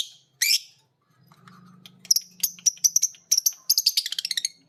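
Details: Two lovebirds, a green biola and a PB Piet, learning the ngekek song from each other after hearing a master recording: sharp high chirps, sparse at first, then quickening into a rapid run of repeated clipped notes.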